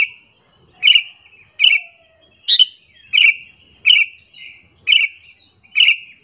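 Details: Lure call of a sooty-headed bulbul aimed at angering other bulbuls: seven bright chirps at steady intervals under a second, each a crisp burst dropping into a brief whistled tail.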